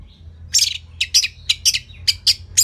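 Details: Orange-headed thrush from Singaraja, Bali, a caged training bird: rapid series of short, bright, scratchy high notes repeated about every quarter second, loud and dense throughout.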